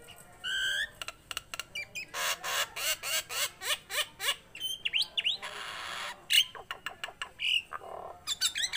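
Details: A tame Nias hill myna gives a loud, rapid jumble of harsh squawks, rasping bursts and clear upslurred whistles, with only brief pauses.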